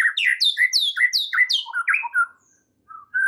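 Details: White-rumped shama song used as a lure to set stressed shamas singing: fast varied whistled and chirping phrases, some sliding downward, packed for two seconds, then a pause and one more note.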